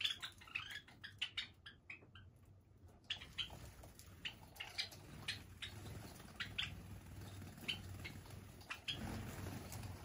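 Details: Indoor flock of Java sparrows living free in a room, more than thirty birds; quick clipped chirps come in a fast run at first, then single high chips every second or so over steady low hum and rustling.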